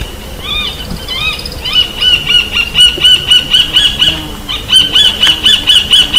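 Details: Roadside Hawk (gavião-carijó), found across Brazil and known to call while flying, gives a few drawn-out, slurred whistles, then a rapid series of high, shrill notes, about two per second, with faint background hiss.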